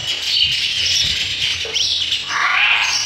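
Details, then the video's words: Sparrow chicks begging while being fed in the nest: a dense, continuous chorus of high, hissing chirps that swells and fades over three seconds, with one brief lower note near the middle. "sparrow bird feeding their chicks in the nest"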